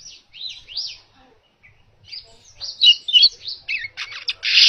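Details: Baya weaver singing, recorded for training other cage birds: faint chattering buzzy notes, a quiet pause, then louder squeaky twittering and a final harsh buzzing burst.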